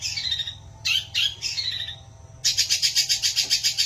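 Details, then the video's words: Long-tailed shrike delivering isian gereja, sparrow-like fill phrasing: scratchy squawking notes, then a fast series of sharp, even chirps, roughly three or four per second, over a faint low hum. "CENDET ISIAN GEREJA NGEBAN2"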